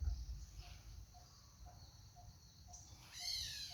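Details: A brown boobook (brown hawk-owl) in Cambodia gives faint, soft hoots, about two a second, over low rumble and steady insect hiss, with a brief rising whine at the end.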